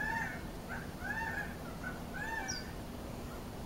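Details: Gambel's quail, from a family with chicks in Arizona, give nasal, arched mewing notes, about four in quick succession, over a steady low rumble of wind or distant noise.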